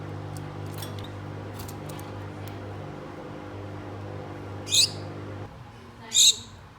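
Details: Pet Gouldian finch pair calling to a mate indoors: faint ticks and rustles, then two clear high nasal calls near the end, over a steady low mechanical hum that stops partway.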